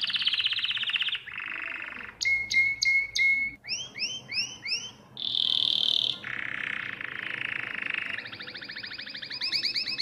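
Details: Domestic canary song recorded for teaching young birds, with rolling trills, clipped repeated notes, looping upslurred phrases and bright whistled tours over a noticeable hiss.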